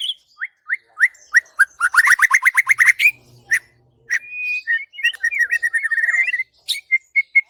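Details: White-rumped shama (murai batu) master song used to train other birds: a series of upslurred whistles, then a fast stuttering burst, a sustained whistle, warbled twisting notes, and clear repeated whistled ending notes.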